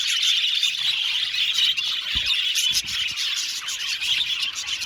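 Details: Aviary colony of budgerigars chirping and squawking together, dense high warbling throughout, with a couple of soft thumps or knocks heard in the background.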